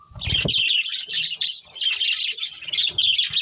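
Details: Budgerigars in a colony with a breeding pair, giving a busy, overlapping high chirping chatter, with a few low thumps at the start.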